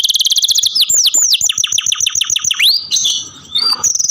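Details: Captive canary mixes a fast high trill with looping downward sweeps, a rising slur, brief mixed notes and a closing rapid pulsed phrase.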